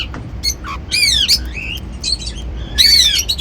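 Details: Pet cockatiels eating seeds, several birds, indoors; loud whistled notes with rich harmonics, sweeping down then up, in bursts about a second apart, with a short squawk among them.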